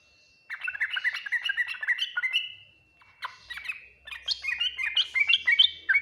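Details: Yellow-vented bulbul song in the full Ngriwik Nguplik Tuklik-Tuklik style, said to draw quick replies from other bulbuls: two bursts of rapid, bubbly, chattering notes separated by a short pause, with a steady faint tone throughout.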